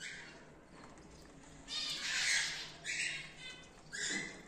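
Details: Cockatiels in a breeding colony of several pairs, with chicks newly out of the nest boxes, give harsh, raspy screeches in short bursts, one after another.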